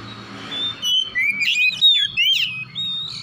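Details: White-rumped shama in the morning, a kept bird said to be recovering from stress: a burst of varied whistled notes and sharp rising and falling sweeps, with a faint low hum underneath.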